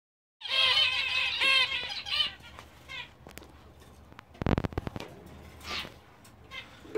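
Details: A fawn zebra finch pair, male and female, giving a rapid run of nasal, buzzy notes that fade into softer scattered chirps.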